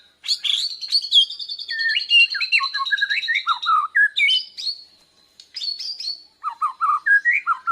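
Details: Bornean white-rumped shama learning to sing, responding to a lure, chest puffed out. A long rapid high trill runs under falling whistled slides, a short pause, then choppy chirped notes.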